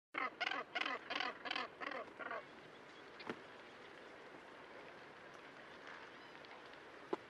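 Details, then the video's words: Northern Gannets at Bempton Cliffs, Flamborough Head, UK, 40 m elevation, 12 June 2016 at 13:00: a quick burst of about seven harsh, grating calls in under three seconds, then steady background rush and a couple of sharp clicks. "Gannet Sound Effect"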